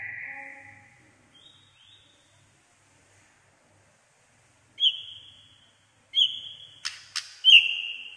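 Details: White-rumped shama, said to sing nearly all day in varied voices: after a faint opening and a long pause come a few clear, drawn-out whistles, each sliding down, with sharp clicks between them.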